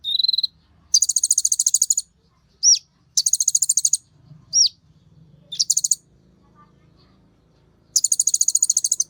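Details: An olive-backed sunbird sings excitedly as a lure for others of its kind. Repeated bursts of fast, buzzy, very high trills are broken by single sharp down-slurred notes, with a faint low hum behind.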